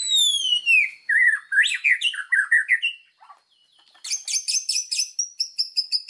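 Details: White-rumped shama (murai batu) master song: a long sweeping downward whistle, then warbled, bubbling phrases, a brief pause, and a fast series of very high, sharp repeated notes.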